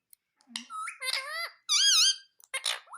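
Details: Pet Indian ringneck parakeet talking, imitating words such as mummy and papa: a string of squeaky, nasal, speech-like syllables with bending pitch, the loudest a wavering phrase near the end, separated by short silences indoors.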